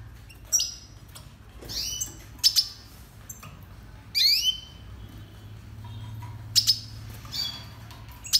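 Red siskin song: bright, high twittering chirps and buzzy, rising trills in short bursts every second or so, over a faint low hum.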